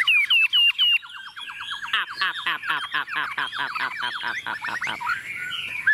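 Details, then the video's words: Chinese hwamei, tame and standing on a table, sings a few upslurred whistles, then a rapid series of repeated descending notes, finishing with a looping whistle. "Họa mi thuần xách tay đặt bàn tự tin hót"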